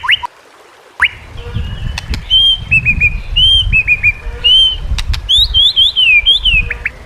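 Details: A white-rumped shama sings a training song meant to prompt lazy shamas into song. Varied clear whistled phrases, some slurred up and down, are mixed with sharp clicks and a few high twittering notes. Faint low background rumble.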